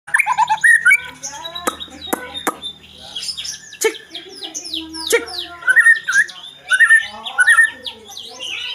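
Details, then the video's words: White-rumped shama (murai batu) in loud, lively song rich in isian fill phrases: varied whistles, quick downslurred notes, sharp clicks and rapid chattering runs, changing phrase after phrase. "MURAI BATU ISIAN MELIMPAH"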